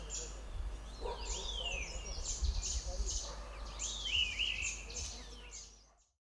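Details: Grey-winged blackbird in Himalayan hill country giving territorial song down the valley; melodious slurred whistles in quick phrases, some swooping downward, with low background rumble and the sound fading out at the end.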